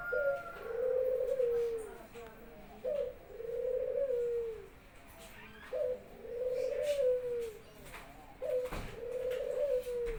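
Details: Barbary dove kept at home, singing freely while welcoming its owner back from work. Four coo phrases about every two and a half seconds, each a short low note then a long rolling, gently falling coo.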